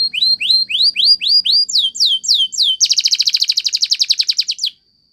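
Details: Belgian canary, training song: a run of repeated rising whistles, some slower swooping notes, then a dense rapid buzzing trill that stops abruptly, leaving silence.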